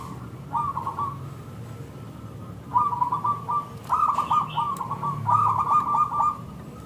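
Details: Local zebra dove in full song, meant as a lure for other zebra doves to respond; fast rippling, purring coo phrases grow busier and louder toward the end.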